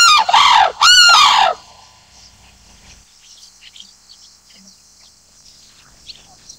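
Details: Sarus crane letting out two brief, loud bugled notes, rising then falling, followed by quiet background with faint distant sounds.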